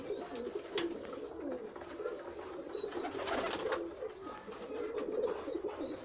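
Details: Pigeons gathered in numbers keep up a steady chorus of low, burbling coos, punctuated by short high rising squeaks and a few sharp snaps and flutters.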